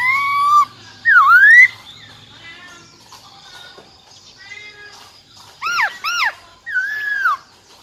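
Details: A female silver-eared laughingthrush gives her wild-type song to excite males. Loud whistles include a V-shaped dip-and-rise, then several down-slurred notes with rich overtones and a final curved whistle.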